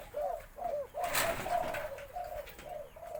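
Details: Deep-voiced white Spotted Dove delivering a four-note 'khan yon' crow; steady low coos roll in quick succession, briefly interrupted by a sharp clatter.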